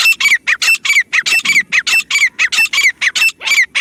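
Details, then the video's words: Black francolin calling, used as a hunting sound: harsh, grating notes given in a fast, unbroken series, roughly a dozen in under four seconds, each with a brief falling whistle-like tone inside. "Hunting sounds of jungle partiridg, francolin calling voice jungle,teetar Shikari sounds"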